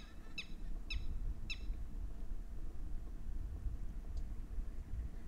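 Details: Red-wattled lapwing in Haryana, known in Hindi as titeeri: three sharp, ringing harmonic notes given about half a second apart early on, then quiet, over a heavy low rumble of wind or handling noise.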